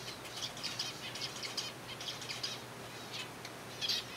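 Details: A captive colony of Zebra finches being fed softfood give short, high, nasal chirps in quick irregular bursts, several birds overlapping, with soft wing flutters and a steady low hum behind.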